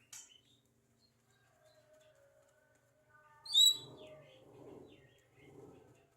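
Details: Chatty Javan myna mimicking speech and coughing: a brief high squeak at the start, soft low murmurs, then a loud sharp chirp followed by three rough, muffled, speech-like bursts spaced about a second apart.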